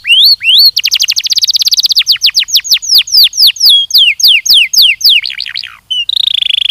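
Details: A Belgian canary sings for training purposes: rising whistled sweeps, a fast rolling trill, then a long series of descending slurred notes repeated at a steady pace, closing with a buzzy trill.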